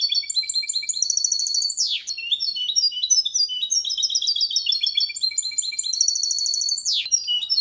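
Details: Malaga copy sung by a hybrid of goldfinch and canary, meant for training songbirds: fast, high twittering and buzzy trills with two sharp descending sweeps, one near two seconds and one near seven.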